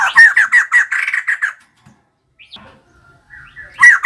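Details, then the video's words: Singing female white-crested laughingthrush: loud, rhythmic cackling notes in a quick series, a pause with faint soft calls, then another loud burst of laughter. "Poksay jambul putih betina gacor"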